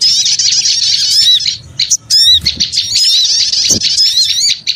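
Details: High, frantic twittering of small birds as a lure sound, a dense opening burst, a quieter stretch with a few sharp squeaks near two seconds, then more overlapping chirps.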